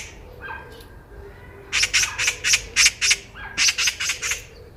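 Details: Loud Eurasian magpie heard on a walk, a softer lower note first, then about nine harsh, clacking chatter notes in two quick runs.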